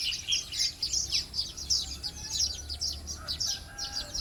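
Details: Weaver birds calling in the early morning: a busy stream of high, sharp chirps and twittering notes, several per second, with faint low hum in the background.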